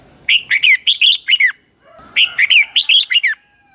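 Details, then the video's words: Red-whiskered bulbul in dueling song, a caged lure bird for training singing: two back-to-back phrases of six or seven rich, rapid warbled whistles with a short pause between. "chào mào hót đấu"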